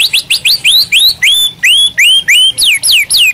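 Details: White-rumped shama, a captive bird singing as a master song for training others: a rapid even string of about thirteen high whistled slurs, first rising, then falling, about four per second.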